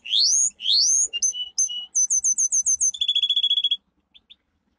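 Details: Domestic canary song for training: two long rising slurs, brief clipped notes, a quick run of looping whistles, then a fast rattle ending in two soft chips.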